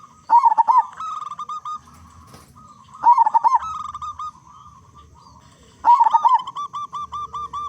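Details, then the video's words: Active local zebra dove with a strong voice, a lure for making other zebra doves sing; three rhythmic phrases of rapid clipped coos, each followed by a string of evenly spaced softer held notes. "Perkutut Lokal Gacor Suara Besar Pancingan Burung Perkutut Agar Cepat Bunyi"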